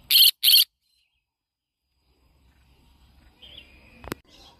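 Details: Yellow-sided conure parrot giving two short, harsh, rasping screeches in quick succession, then near silence with a faint chirp, low rumble and a sharp click.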